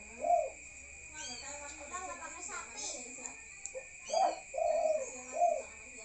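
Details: Spotted dove calling at night: a hoarse cooing phrase, one low coo then a pause, then a rising three-part coo near the end. A steady high whine runs throughout, with faint voices in between.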